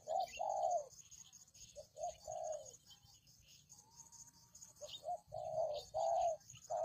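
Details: Spotted dove cooing on a lure recording: clusters of short and drawn-out mellow coos, a quiet gap with a faint thin whistle midway, then cooing resumes with brisk short notes and long coos, over a steady high hiss.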